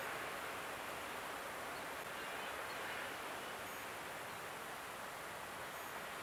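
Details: Steady broadband hiss like wind or surf on a wild Norwegian coast, with no animal calls heard.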